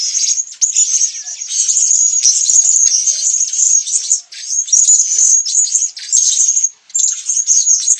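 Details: Blue-crowned hanging parrot recorded in Sabah, Borneo: a long run of very high, thin, twittering buzz with short breaks near the middle and end.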